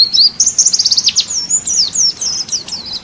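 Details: National champion pleci (white-eye) as songbird masteran audio: a brisk high trill of repeated short notes, about four per second, shifting into thin sweeping whistles and scattered sharp chirps.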